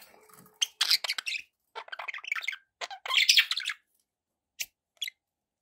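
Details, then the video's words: Budgerigars chatter in rapid scratchy squawks and chirps, several dense bursts followed by two isolated high chirps. "budgie sounds"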